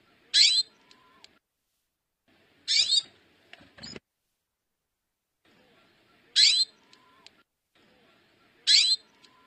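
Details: A female hooded siskin gives four sharp, high, quickly sweeping chirps at uneven intervals of two to four seconds; a dull knock sounds just after the second call, over quiet low background rustle.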